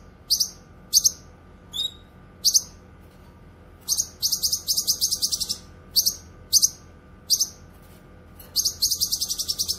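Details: Cucak kinoy song for tutoring and trapping: scattered sharp high chirps and a wavering whistle give way to long rapid chattering runs of pulsed notes, then more chirps and a final rattle.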